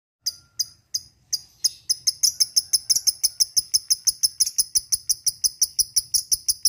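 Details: Fighter lovebird singing in the ngekek style, used as a training lure: a few spaced high chirps that speed into a long, even chattering trill of sharp metallic notes, about three per second, with a faint low hum beneath.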